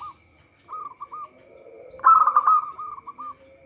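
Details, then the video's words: Local zebra dove singing as a trapping lure: a few soft, spaced coos, then a loud rapid trill of coos that fades into short repeated notes. "Perkutut lokal gacor suara cocok untuk pancingan."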